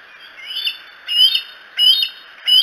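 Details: Bald eagle on the Decorah eagles cam, 07-02-2018, giving four loud, high-pitched squealing chirps in quick bursts of about a third of a second each, roughly every 0.7 seconds, over faint steady background hiss.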